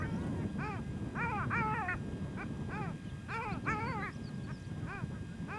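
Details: A male Long-tailed duck on a small pond near One-Eyed Jack Lake, Victoria Island, Nunavut, in spring on the tundra gives nasal, yodelling calls in quick pairs and triplets, about three per second, before diving under the ice; low wind rumble.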